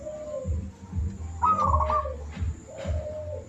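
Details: Zebra dove singing vigorously, used as a master recording to train caged birds: a soft low coo followed by a rolling, trilled coo phrase, over a steady low thumping beat in the background.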